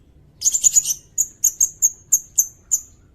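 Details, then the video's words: Sirindet voice recorded to tutor songbirds and to lure birds, with a fast cluster of high buzzy notes followed by seven evenly spaced sharp chips roughly every third of a second. "Suara burung sirindet buat masteran bagus juga buat pikat"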